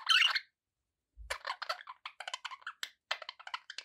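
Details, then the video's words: A loud harsh squawk, a short pause, then rapid ticking, scratchy budgie chatter in quick even pulses. "budgie sounds"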